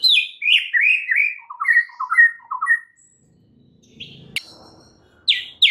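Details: White-rumped shama performing 'isian' fill song to stimulate a non-singing bird: a string of descending whistled phrases dropping lower in steps, a gap with low rumbling and a click, then two bright high notes.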